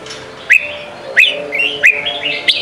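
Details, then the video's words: Sông kon training song of the red-whiskered bulbul for young birds: sharp rising whistles about every two-thirds of a second, each trailing into a softer warble, with steady low hum beneath. "Chào mào hót: 35 phút Luyện giọng Sông kon mỗi ngày! เสียงฝึกลูกนก | นกปรอดหัวโขน"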